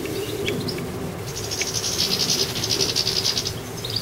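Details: Garden goldfinch with a fast liquid twitter of rapid high trilled notes forming a continuous buzzing stretch, preceded by a few separate chirps, against steady background noise.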